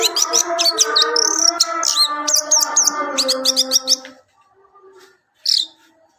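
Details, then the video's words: Orange-headed thrush singing a rich, fast run of high whistled and trilled phrases for about four seconds, with a steady low hum underneath, then near silence broken by one short bright note. "Kumpulan kicau anis merah"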